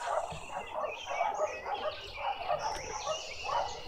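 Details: Green woodhoopoe, a juvenile, at a Pretoria garden feeder in South Africa, giving rhythmic cackling bursts of harsh repeated notes, about three groups per second, with a faint high whistle from another bird in the background.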